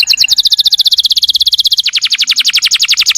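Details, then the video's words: Canary master song meant to get other canaries singing: a dense trill of quick high notes that slides gently lower in pitch, then shifts into a slightly slower, harsher rattling trill. "masteran burung kenari"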